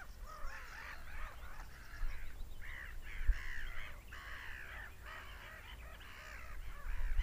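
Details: Several seagulls scream together, drawn-out harsh wailing notes in bursts that often overlap, over a constant deep background rumble.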